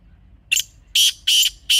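A grey francolin gives four loud, harsh, high notes in under two seconds, the last three coming in a quick, even rhythm. Nothing else is heard.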